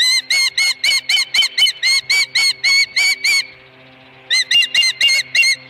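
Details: Ranch-nest osprey with a live fish, late afternoon of 26 May 2020: rapid ringing whistled chirps for three seconds, a short silence, then several more chirps.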